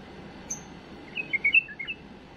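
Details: Tame bulbul singing a clean song for raising young birds: a high thin note, then a quick string of clear whistled notes at varied pitches, set against a low steady hiss.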